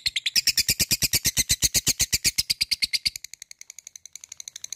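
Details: Labet calling an opponent with 'ngetik ngekek' chatter: a long, loud, fast train of sharp high ticks for three seconds, then continuing as quieter, thinner ticks.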